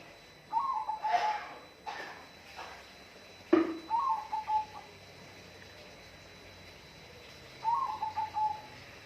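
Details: Three mid-pitched whistled bird phrases, each a fluttering warble trailing into two or three level notes, with a sharp knock or click just before the second phrase.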